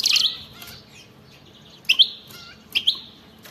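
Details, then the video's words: European goldfinch with wild batbata song meant to stir others into singing: a short twittered phrase, then two separate bright, liquid chirps with slurred tails, spaced about a second apart. "أطلع لي اي حسون ما يغنيش وسمعو هذا التغريد 😱😠 راح يغني بدون مقدمات بتبتة جنونية وغناء خلوي خرافي"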